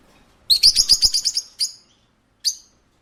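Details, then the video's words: Pet shop parakeet delivering a fast string of about eight shrill, buzzy chirps within one second, followed by two isolated high notes after short pauses. "A parakeet at a pet shop"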